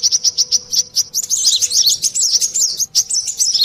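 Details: Brown-throated sunbird, local name kolibri klapa or sogon, on a lure recording: a string of evenly spaced sharp high chips leads into a fast, squeaky, tumbling twitter.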